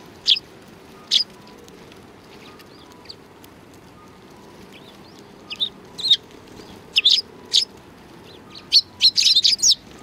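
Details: Sparrows gathering at a Tenmangu shrine to be fed, 7 February 2020; scattered sharp chirps, sparse at first and then denser chattering bursts toward the end, over a low steady background hum.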